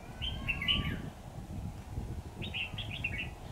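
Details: Red-whiskered bulbul used as a trapping decoy, dated 28 September 2019. Two lively phrases: a loud slurred whistle with a falling tail, then after a pause a fast string of clipped, chirpy warbled notes. Steady low outdoor noise.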